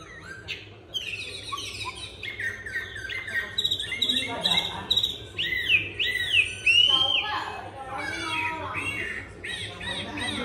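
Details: Chinese hwamei, newly arrived, singing with a supple voice while turning its rump: varied whistled notes and swooping phrases, some squawky, uneven in loudness, with faint other sounds in the background.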